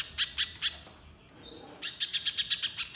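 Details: Little spiderhunter lure song with spaced sharp high chips. After a quiet gap with a faint thin whistle, a faster run of chips follows.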